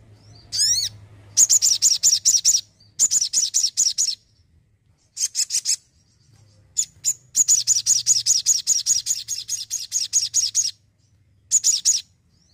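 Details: ['Crimson sunbird singing energetically in bursts of rapid, shrill repeated notes, each run lasting one to three seconds, separated by short pauses, with one opening sweeping call.']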